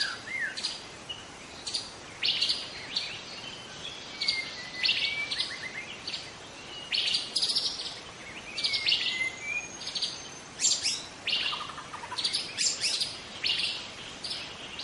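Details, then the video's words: Forest-dwelling young wild White-rumped shama delivering a long, varied song: clusters of sharp high chips, slurred whistles and a few long thin whistled notes, loud bursts spaced every second or two, background hiss throughout. "Kicau murai muda hutan"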